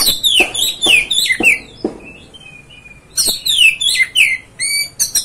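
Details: Oriental magpie-robin song used to provoke and stir up another magpie-robin: loud, varied whistled phrases with sweeping down-slurred notes and sharp clicks, delivered in quick bursts, a brief pause, then further rich whistles and thin high notes.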